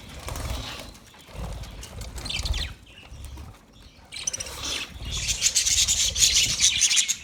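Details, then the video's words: Budgerigars calling: bursts of dense, scratchy high chirps and chatter, quiet between, building to a continuous bright twittering in the last two seconds, with low thumping and rustling noise beneath. "Best Sounds Of Budgie Bird"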